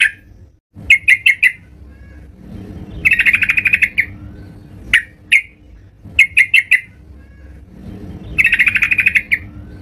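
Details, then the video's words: Yellow-vented bulbul singing vigorously at home, alternating short groups of three or four loud bubbly chirps with longer rapid rattling phrases. The pattern repeats twice, with a soft low hum between phrases. "terucukan gacor di rumah"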